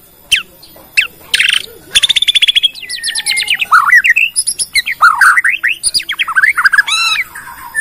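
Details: Lure song of a Bornean white-rumped shama, used to draw other shamas into song; scattered chips build into a fast rattling trill, then a long sequence of looping, swooping whistles and sharp high notes.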